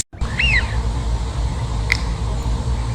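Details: A single Eurasian wigeon gives one clear whistled call that rises and then drops away, followed by a faint short note against a low background hum.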